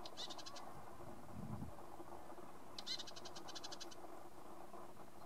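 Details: Male red-capped robin at Limbri giving high, dry, rapidly clicking trills, a short burst followed by a longer one about two seconds later, over low rumbling background noise.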